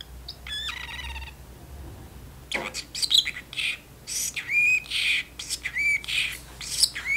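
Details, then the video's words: Pet parrotlet in its cage indoors, chattering with its owner in a kitchen; a few faint speech-like harmonic phrases are followed by bursts of shrill chirps and squeaky, rising whistled notes. "talking parrotlet"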